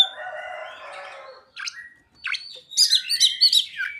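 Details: Ciblek and sogon imitations sung by an Oriental magpie-robin: a harsh buzzy rattle first, then scattered sharp chirps, ending in a rapid run of high looping whistles.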